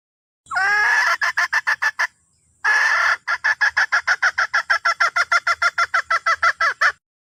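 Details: Red junglefowl hen calling for the rooster: a long rasping note leads into fast clucks, a short silence, another long harsh note, then an extended string of rapid, regular clucks.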